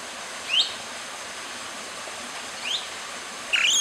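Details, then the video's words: Long-tailed broadbill calling: three short, shrill, rising whistled notes spaced about two seconds apart. The last note is slightly longer and wavering. A steady high hiss runs underneath throughout. "Long-tailed Broadbill Call/Song"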